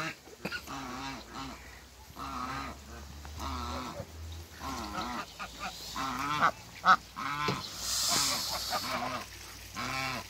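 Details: African geese, a couple met on a waterbird farm, calling in rapid nasal honks with overlapping voices and a brief burst of other noise midway.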